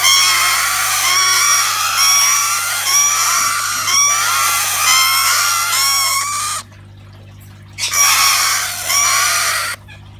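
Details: Several kakariki chicks in a panic give harsh, screeching calls rich in harmonics, repeated in a rapid, continuous run for about six seconds, then after a short silence another two-second burst, over a steady low hum.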